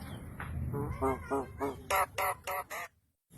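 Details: A pet Javan myna talks in a raspy, nasal voice, a quick run of about eight clipped syllables like "bagi korek, bos" and "bikin kopi", the last few louder and harsher, then silence.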